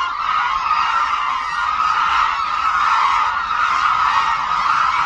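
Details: Flock of hooded cranes arriving at Suncheon Bay Wetland, flying in aerial acrobatics. Countless overlapping, trumpeting honks merge into a thick, constant chorus, with individual notes barely standing out from the mass.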